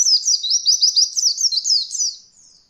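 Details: Oriental white-eye beginner-training song in the roll voll style: a high, continuous, rapidly rolling series of slurred whistled notes that fades out at the end.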